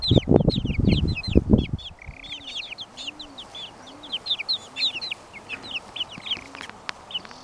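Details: Twenty-six-day-old Brahma chicks chirping together: a steady stream of thin, falling cheeps, loud thumps in the first two seconds, then softer low arched sounds repeating beneath the peeping.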